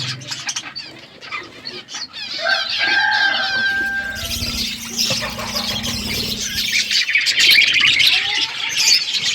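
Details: Budgerigars chirping in the morning: dense, overlapping warbled chatter and squeaky trills, with a flat whistled note near the third second and busy high chirps building through the second half, plus wing flutters.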